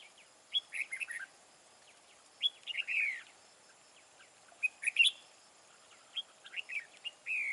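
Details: Decoy red-whiskered bulbul with a wild voice, kept for trapping rival bulbuls, delivers lively chirpy phrases of quick rising and falling whistles, each ending in a slurred downward note, repeated about every two seconds.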